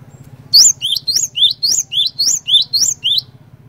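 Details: Cinereous tit singing hard, a lure to make other cinereous tits call along: a sustained run of about ten ringing two-part whistles, a high note then a lower swooping one, repeated steadily for three seconds over constant low hum.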